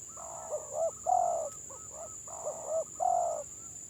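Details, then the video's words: Spotted doves, village birds with a broken neck ring, in a stuttering-style (gagap) song match: soft hooting coos in short double notes followed by a longer drawn-out coo, repeated, over a steady thin high whine. "BURUNG TEKUKUR GAGAP VS GAGAP"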